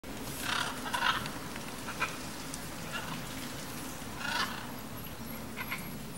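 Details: A flock of blue-and-yellow macaws feeding on imperial palm fruits in the Brazilian countryside gives short, harsh, raspy squawks at irregular intervals over a steady low rumble of background noise.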